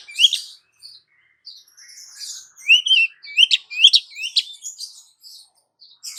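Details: Female Oriental magpie-robin calling the male, used as a lure: scattered soft notes building into a run of rising whistles punctuated by sharp chips, fading to quieter notes.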